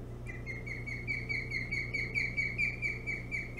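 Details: Osprey at its nest on Hog Island at 01:58 on 21 July, upset by an intruder; an alarm of short, sharp chirped whistles repeated about four times a second in a steady series over a low constant hum.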